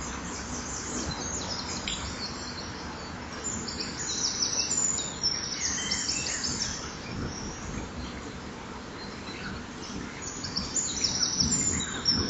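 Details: Near a common kingfisher's breeding wall, filmed by a nest camera on a September 2011 morning as the bird brings back a small fish: shrill, scratchy high chirps in scattered clusters, pausing and resuming, over constant low background noise.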